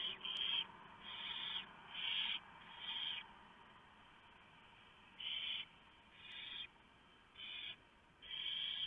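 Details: Barn owls in a nest box as the male brings a big mouse and the female feeds the owlets; rasping hisses of varied length, some clustered, some after a pause, over faint background hum.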